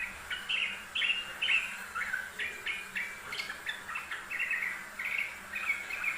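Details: A busily singing yellow-vented bulbul, from a master recording for training birds: rhythmic bubbly phrases of two or three warbled notes, about two a second, repeated steadily, with faint insect-like hiss behind.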